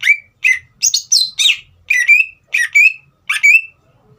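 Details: Singing green leafbird, used to rouse young speckled birds into song, gives loud whistled notes in pairs and groups, each slurring downward, with a sharp chip leading into a level whistle, separated by short gaps.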